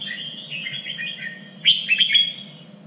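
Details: Red-whiskered bulbul, contest-training song in a standard three-region voice: a quieter warbled lead-in followed by a loud, sharp whistled burst with quick accented notes.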